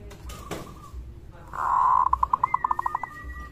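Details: Local zebra dove in vigorous voice, used to prompt other zebra doves to call and to raise rivals' arousal: a long steady coo followed by a fast series of short, even, pulsed notes, with faint background noise.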